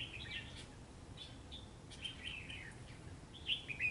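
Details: A red-whiskered bulbul contests a trap bird on a cold, rainy day, with scattered bursts of chirpy, warbled notes spread over several seconds and a stronger flurry at the end, over hissing noise.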